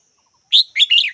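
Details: Red-whiskered bulbul with a crisp three-note call, a full opening chirp then two quick warbled notes, loud and close against a quiet background.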